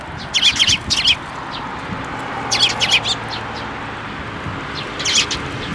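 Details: Young Eurasian tree sparrows begging as they fly in to be fed in a plum tree at a Tenmangu shrine, Japan, 25 May 2024; loud clusters of rapid, harsh high chirps, each burst about half a second, repeated every two seconds.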